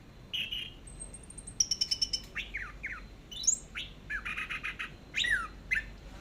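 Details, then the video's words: An orange-headed thrush sings teler style on a long tutor track: a thin high whistle, then rapid ticking notes and downward-sweeping chirps in uneven clusters, fairly soft against a low background hiss. "BURUNG ANIS MERAH TELER"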